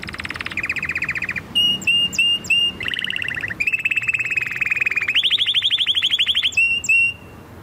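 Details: Canary song of varied rapid trills, some low and buzzy, others high rising whistled notes repeated several times a second, shifting pitch from phrase to phrase.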